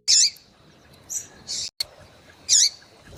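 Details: Female yellow-bellied seedeater calling to stir up males, giving three to four piercing, high, short notes within about three seconds, the first and last strongest, with a faint click between them.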